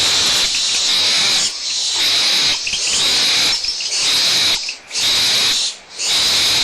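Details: Barn owl owlets at Audubon Starr Ranch Sanctuary in a small quarrel over a food scrap, mother close by: near-constant harsh breathy screeching, dipping briefly about once a second, with two clear pauses near the end.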